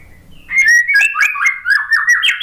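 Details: White-rumped shama, a caged bird stressed after its moult and slow to sing, replying to a lure track: a continuous flowing string of loud whistled phrases, sliding and warbling, climbing higher toward the close.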